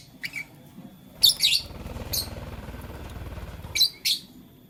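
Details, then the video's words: Lovebird playing with a flower, blue lutino and green; a few short, sharp high chirps in pairs, spaced over several seconds, with a low rumbling handling noise between them. "Blue Lutino Green LoveBird Playing Flower - Chirping Sound"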